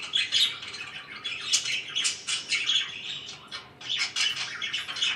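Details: Budgies kept as household pets give a busy, chattering warble of raspy chirps and short squawks, bursts coming roughly every two seconds over a constant twittering background.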